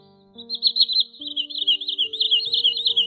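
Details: Common sandpiper lure recording from August 2020, used to attract migrating birds to nets at night: shrill, high notes tumbling in quick warbling runs, about three a second, over steady low synthesized music tones.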